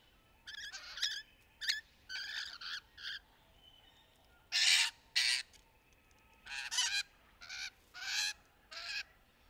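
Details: Courting rainbow lorikeets in the trees give harsh, grating screeches in bursts, some short and clipped, others longer and rasping, with brief pauses between groups.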